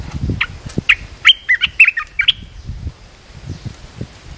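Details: Red-whiskered bulbul kept as a caged decoy to lure a wild bird: one quick phrase of five or six bright, warbled, chirpy notes over about one and a half seconds, with low thumping and rustling underneath.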